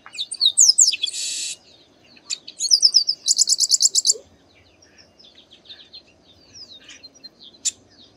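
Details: Garibaldi, or chestnut-capped blackbird, from the Bahia sertão in Brazil's Northeast, giving quick slurred notes and a harsh buzz, then a fast stuttering trill, followed by softer scattered chirps and a sharp click.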